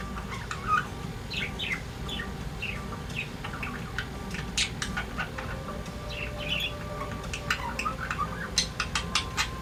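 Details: Two pet budgerigars in song, giving soft twittering chirps early on, then a run of sharp rapid clicks and ticks near the end, against a constant indoor hum.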